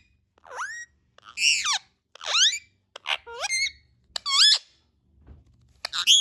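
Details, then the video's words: Indian ringneck parakeet making a string of varied squeaks and squawks: sliding, swooping harmonic notes in bursts about every second, some harsh, a few wavering, with a soft thump near the end. "Talking and natural sounds of Indian ringneck parrots"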